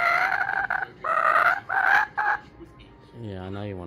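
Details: Kookaburra in Brisbane, Australia, calling while a person talks to it; several loud harmonic, nasal bursts in quick succession, then a man's voice speaking.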